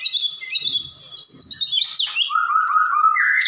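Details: Vigorous (gacor) white-rumped shama song: high thin whistles sliding downward into a lower, steady warbling trill, with faint low rumble beneath.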